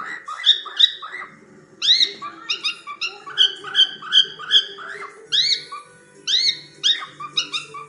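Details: Playing cockatiels giving quick repeated whistled notes, each rising then dropping, in clustered bursts with short gaps, fairly loud and clear over a quiet background.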